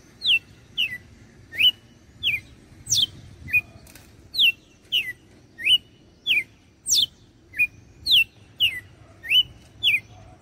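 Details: Red-cowled cardinal in Fortaleza, Ceará, Brazil, with its whip song: a long even series of loud whistled notes, mostly sliding downward, about one every 0.6 seconds, broken by occasional high steep sweeps and short upturned notes; soft background hum.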